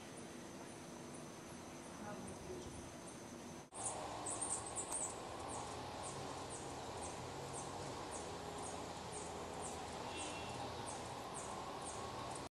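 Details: Violet-headed Hummingbirds, female and male, at Arenal Observatory Lodge, Costa Rica, giving thin, very high chips repeated about twice a second over a steady hiss of background noise.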